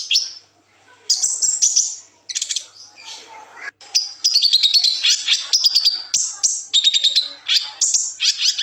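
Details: Kolibri ninja sunbird song meant for tutoring and stirring young birds to sing, with liukan and besetan phrases: varied high twitters, sharp chips and thin whistled trills, delivered in bursts separated by brief quiet gaps.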